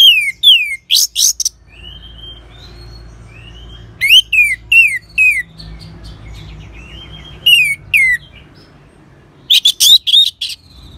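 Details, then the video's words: Song of an orange-headed thrush, played to prompt other birds to sing. Clusters of loud descending whistled slurs and sharp chirps come in bursts, with softer rambling warbled phrases between them. "ANIS MERAH SAUARANYA MANTAP 99% SEBAGAI MASTERAN DAN PANCINGAN BURUNG NGEPLONG"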